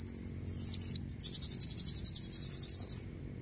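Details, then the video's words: A female blue-crowned hanging parrot calling to attract a male gives very high, thin squeaky notes: a few sharp chips, a brief buzzy burst, then a fast run of repeated tinny notes. "Suara serindit betina buat pancingan jantan leher merah"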